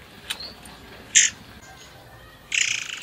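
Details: Forktail lure recording meant to prompt other birds into song: a faint tick and thin note, a sharp short rasp, then a longer pulsed buzzy grating burst at the end.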